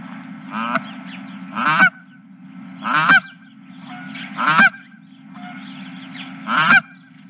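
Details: Goose giving loud, harsh, braying honks, about four of them spaced roughly every one and a half seconds, each rising into a sharp cracked peak, over constant low background hum.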